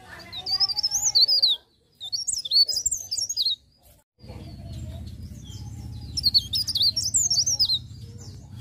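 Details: Leaf warbler singing a continuous rolling 'ngerol' song in the morning: high, thin, twisting whistled phrases, each about a second long, broken by brief silent gaps, over a low steady hum.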